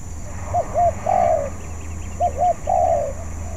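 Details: Spotted dove, a bird still learning and practising its song: two short arched coos followed by a longer, drawn-out falling coo, the phrase given twice, with a steady high hum behind.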